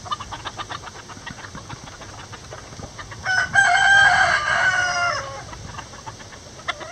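A bantam rooster gives one hoarse, drawn-out crow lasting about two seconds. Soft, quick clucking pulses run steadily before and after it.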